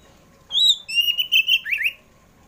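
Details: Oriental magpie-robin (kacer poci) singing in the afternoon, used to lure kept birds into song: a loud whistled phrase opening with a high note, then sustained clear whistles and a quick rising-falling flourish.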